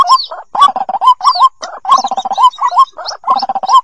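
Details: White-breasted waterhen chicks calling loudly, used to lure waterhens out of cover: clustered upslurred squeaks and rattling low notes in short bursts, topped by high chirps.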